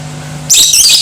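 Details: Lovebird voice played to trigger aggressive singing in other lovebirds: after a quiet hum, a sudden shrill, scratchy chattering burst begins halfway through.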